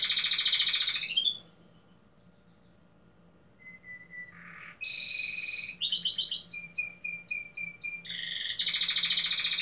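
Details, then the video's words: Domestic canary singing at a 15th-edition competition in Pelotas, Brazil, tagged Belgian canary and fibra: a loud buzzy roll, a short silence, soft low whistles, then rising trills, a row of repeated pulsed notes and another bright roll. "Canário Doméstico"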